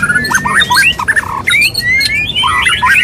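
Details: Male white-rumped shama (murai batu) courting a female: loud, rapid mix of rising and falling whistled notes around mid-high pitch, with short harsh squawky bursts and quick slurred phrases, barely pausing.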